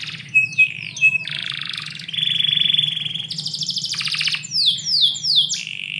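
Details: Morning song of a canary kept indoors: brief whistled notes opening into long buzzy and rolling trills held for over a second each, then quick falling whistles, over a faint low hum.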